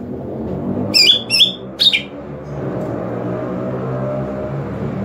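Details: Lure call of a greater green leafbird meant to draw in other leafbirds: three short, squeaky, harmonic notes in about a second, set against a constant loud low hum and broadband background noise.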